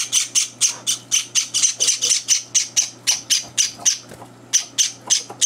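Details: Java sparrow chicks, three days in their new home, begging at breakfast while two older birds barge in; rapid harsh high chirps repeated about four per second, steady and insistent, with a brief pause near the end.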